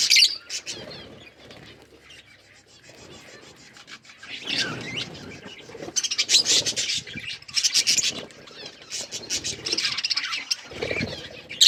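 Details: Budgerigars feeding on green food: scratchy rasping and nibbling noises with bursts of high, warbling chirps that grow busier toward the end.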